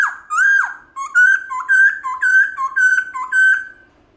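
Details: Black-throated laughingthrush singing forest-style to provoke pet laughingthrushes: a loud arched whistle, then a rapid even series of alternating higher and lower clear whistled notes, around two pairs per second.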